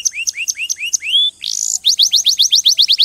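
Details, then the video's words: Canary singing spaced rising whistles, a long upslurred note, a short buzzy tone, then a fast series of bright descending chirps. "غناء كناري روعة Nyanyian burung kenari itu luar biasa"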